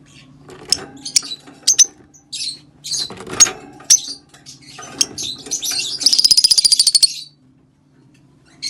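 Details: Rosy-faced lovebird song meant to stimulate breeding: a busy string of sharp, high chirps and squeaks, building into a fast, rattling trill before a short silence, with a faint low hum underneath.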